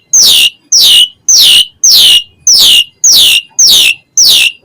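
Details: Asian pied starling repeating a loud, harsh, down-slurred rasp, eight times at just under two per second, steady and regular.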